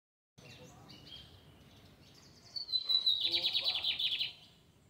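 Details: Lined seedeater singing in a square in the Fátima neighbourhood: after a quiet start, a high thin whistle slides into a loud, rapid buzzy trill lasting about a second, with faint low traffic-like rumble beneath.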